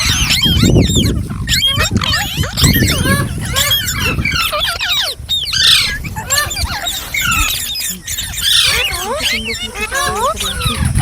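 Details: Busy chatter from green parrots, thick with looping whistled squawks and some harsher bursts, with a deep rumble heard early on.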